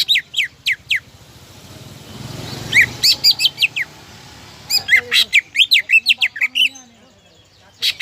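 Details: Greater green leafbird, a bird used to bait rivals into singing, gives scattered sharp falling whistles, then a noisy lull with faint background rumble, then renewed bursts of quick chirps and slurred notes.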